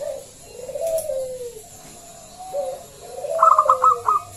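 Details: Local zebra dove with a big voice, played to lure other doves into song. Gentle falling coos, then a quick burst of clipped stuttering notes above a lower drawn-out coo.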